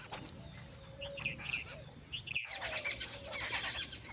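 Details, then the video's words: Jungle babblers give short, harsh squeaky chirps in a loose chatter that grows busier after a brief gap, with a faint whistle and background hiss. "Jangle Babbler's sounds"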